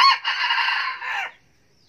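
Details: Red junglefowl crow, described as 'cà lắm': a single loud, hoarse, harmonic crow of about one second. It opens with a brief sharp note, then a sustained rough tone falls away at the end, leaving quiet.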